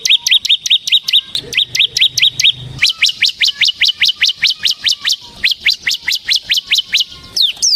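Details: Bar-winged prinia of the semi kind, singing gacor in ngebren style for luring and tutoring birds: a long, unbroken string of crisp, high, upswept chips repeated rapidly. A low hum runs through the early part.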